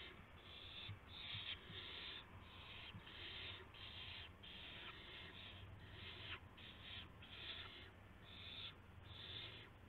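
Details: Owls at dawn on March 26 2016, as a gopher and then a mouse are brought. Rapid series of harsh hissing bursts, about one per second, coarse and noisy, over a steady low hum.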